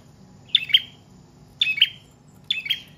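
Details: Prinia song, prenjak trotol/paot, used for luring and tutoring cage birds; three well-spaced bursts, each a sharp high double chirp, about one per second over a quiet background.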